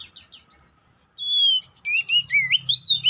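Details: Oriental magpie-robin (kacer poci), kept bird, lure song to provoke fighting: a few soft chips, then a long steady whistle followed by wavering, looping whistled phrases.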